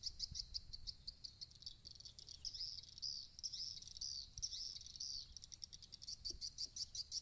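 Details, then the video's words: Swiftlets chatter in a dense, buzzy, high twittering that swells and breaks into quick pulses without pause, over faint low thumps; a swiftlet-house sound meant to attract swiftlets to roost quickly. "SUARA RUMAH WALET CEPAT MENGINAP"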